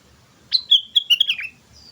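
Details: Lively sooty-headed bulbul lure song: a single rolling phrase of about six liquid whistled notes, slurring up and down before dropping at the end, followed by a faint thin whistle.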